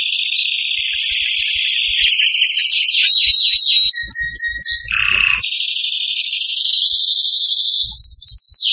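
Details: Excited canary in loud, unbroken song, sliding from a sustained buzzy trill into rapid repeated sweeps and back to a long rolling trill, with a brief lower harsh note midway.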